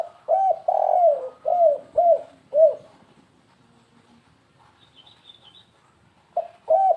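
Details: Spotted dove, lure sound in the 'kuk3 gagap' (stuttering) style: a phrase of low hollow coos with one long drawn-out note and falling ends, then a quiet gap with faint high chirps before a new phrase starts.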